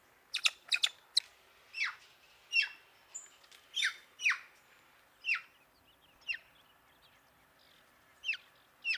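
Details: Black-throated magpie-jay, a social, vocal bird of northwest Mexico, giving harsh squawking calls: sharp clustered clicks at first, then loud rasping squawks spaced about a second apart over a quiet background.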